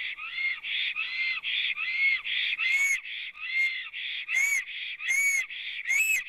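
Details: At a Latvian nest on an April 2017 afternoon, a black stork sings with the female thought nearby: a continuous run of hoarse, whistled, arching notes, about ten in six seconds, alternating slightly in pitch and strength, with no other sounds.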